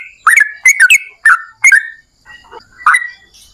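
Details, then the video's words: Yellow-vented bulbul, singing actively as a lure for others of its kind: a handful of bright, liquid warbled notes in quick pairs, a short pause with faint soft sounds, then one final chirp. "TRUCUKAN GACOR Ropel Panjang"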